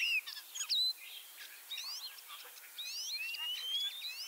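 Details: Quieter passage from a common starling in Liepāja, Latvia, ringed in Lithuania and back for its third spring: thin sliding whistles rise and fall, mixed with faint scratchy notes over soft background hiss.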